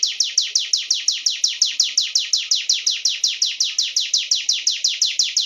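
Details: Sunda warbler pouring out quick, high, downslurred chips in a fast, regular rhythm, about five per second, forming a continuous ringing trill.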